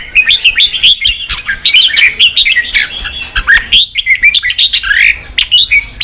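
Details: Red-whiskered bulbul singing to spur a young bird into fighting form; lively warbling phrases of rising and falling whistles mixed with sharp high ticks, pausing briefly midway.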